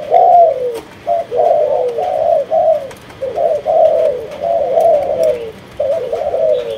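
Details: Repeated mellow cooing from a kept spotted dove of the Malaysian line. Brief lead notes are followed by longer, smoothly descending coos, with short pauses between phrases. The recording is otherwise quiet.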